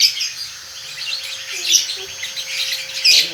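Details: Young lovebird, about one and a half months old, giving konslet-style song: a rapid stream of thin, high chirps and twittering notes, louder bursts near the start, middle and end, over a faint steady tone.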